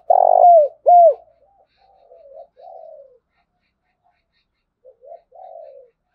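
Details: Spotted dove lure call used to attract wild birds for trapping: two loud mellow coos, the first long and the second short and falling, followed by fainter, softer trailing coos.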